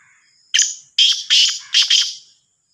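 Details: Black francolin of the Sindhi kala teetar type, called Sahiwal teetar: a loud, harsh, rasping phrase of about five scratchy notes over two seconds, the last two run close together. The background is otherwise quiet.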